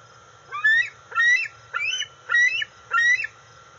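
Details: Juvenile female bald eagle, 131 days old, calling from off the nest for food as her father lands with a fish at the NCTC nest, August 5, 2020: five loud, harmonic, squealing calls spaced about 0.6 seconds apart over a steady low hum.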